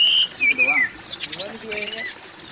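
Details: Oriental magpie-robin calling, meant to get a mute magpie-robin singing: a bright whistle, a falling slurred phrase, then a run of quick varied chirps and twittering notes with lower warbling underneath.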